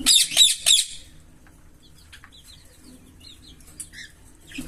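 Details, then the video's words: Green Fischer's lovebird pair: a loud opening burst of three shrill, scratchy chirps, then soft, thin twittering notes and a final sharp chirp. "Lovebird Singing & Chirping Sounds"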